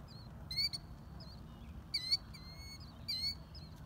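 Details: Killdeer parents with chicks at Whalon Lake, Naperville, Illinois, on May 1, 2020, calling during broken-wing distraction displays: shrill, high, piercing calls in three quick bursts roughly every second and a half, over a low rumble.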